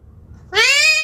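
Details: A pet talking parrot gives a single nasal, cat-like mew, slightly rising and about half a second long, after a moment of quiet room hum.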